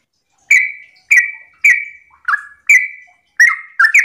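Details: Sooty-headed bulbul in the morning, its song played to coax other bulbuls into singing. Separate clear whistled notes, mostly level, each starting with a crisp click, spaced about half a second apart, then a quicker two-note burst.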